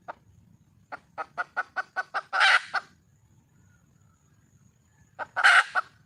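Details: Red junglefowl hen calling for a male: about eight quickening clucks build into a loud, harsh squawk. A quiet pause follows, then a second squawk, with a soft low rumble in the background.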